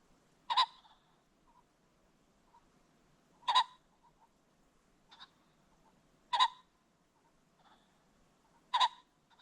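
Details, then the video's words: Ring-necked pheasant recorded along a creek bottom as the sun sets: loud, harsh, raspy single bursts repeated about every three seconds, with faint softer notes between them in a quiet background. "The Sounds of the Ring-necked Pheasant"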